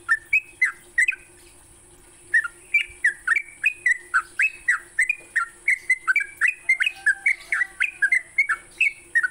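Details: Sooty-headed bulbul singing in the morning, a lure for training songbirds: a few whistled notes, a short pause, then a long quick run of slurred, bouncing whistles; steady high whine in the background.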